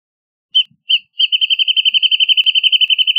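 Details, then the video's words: Singing Wrentit (Chamaea fasciata): two spaced, clear high notes lead into a long, steady trill of quick repeated pips that runs past two seconds to the end, with a quiet background. "Wrentit Singing! Wrentit Calling! Wrentit Chirping! Wrentit Sound!"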